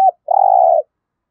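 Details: Trapping decoy spotted dove with a giọng thổ voice style delivering a single sustained, even, hollow coo lasting about half a second after a clipped note at the start; silence around it.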